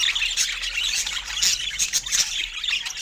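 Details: Pet budgerigars at fruit time: rapid scratchy chirps and bright squawks crowd together in a bubbling chatter, with brief louder peaks.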